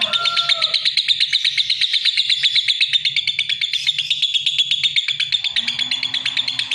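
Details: Continuous rapid, harsh chirping from a lovebird, pulsing evenly at a high pitch throughout, with brief lower whistles at the start and a soft hum underneath.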